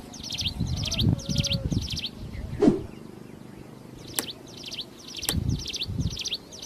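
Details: Wild plain prinia in full, lively song: bursts of buzzy repeated phrases, a short gap with a few sharp clicks, then the phrases resume over low background rumble.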